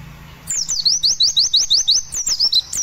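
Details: A white-eye played as a lure for a pet white-eye being aired after sunbathing sings a rapid, high, sweet run of downslurred notes, about six per second, with a faint low hum beneath.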